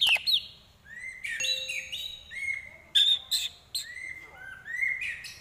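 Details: Shama (white-rumped) mimicking prinia, kapas tembak and eagle: separate clear whistled phrases at different pitches, broken by short harsh noisy bursts, with quiet gaps between phrases.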